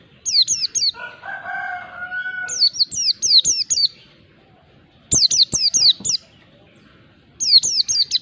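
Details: Mountain white-eye ngalas song meant to provoke a quiet bird into singing; repeated groups of three to five high, sliding, downward chirps, with a lower rasping drawn-out note near the start.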